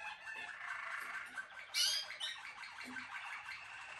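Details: Dense, bubbling Malinois Waterslager canary song with overlapping trilled notes and one loud sharp high burst near the middle, the sound thick and continuous throughout.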